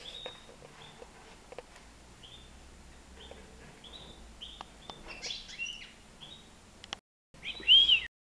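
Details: European goldfinch, nine months old, flying free indoors in a living room; soft, evenly spaced short notes build into a fuller tinkling twitter, ending with a loud arched whistled note, over a steady low hum.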